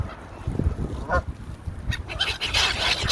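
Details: Hungry Canada goose (Branta canadensis) feeding among gulls: a few loud, nasal honks mixed with higher squealing gull calls over low rumbling background noise.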